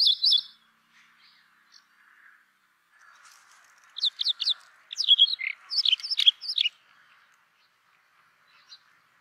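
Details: Brown rock chat song: after a short harsh burst at the start and a quiet pause, a lively phrase of quick, varied chirps and slurred high notes runs for nearly three seconds, then trails into near silence.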